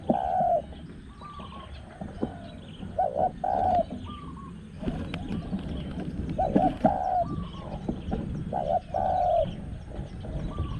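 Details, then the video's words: Spotted Dove cooing during a luring session with a caged decoy bird at spot 14, with a small-voiced wild dove about. Soft, low coo phrases repeat roughly every two to three seconds over rumbling rural background noise and faint chirps. "ต่อนกเขาใหญ่ | หมายเสียงเล็กโกดๆ"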